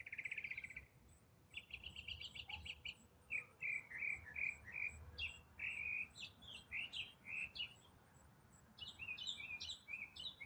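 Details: Long complex riff from a songbird in autumn, sung non-stop: a buzzy trill, a rattling stuttered phrase, then varied chirps and whistled notes rising and falling in quick succession.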